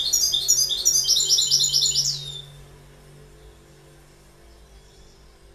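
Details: Goldfinch singing a quick, bright twittering run of high tinkling notes for about two seconds, then quiet with only a faint low hum.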